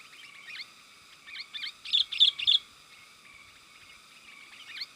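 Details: Sooty-headed bulbul lure call for drawing in wild birds: soft quick paired chirps, then three louder bubbly notes in a row, followed by fainter twittering.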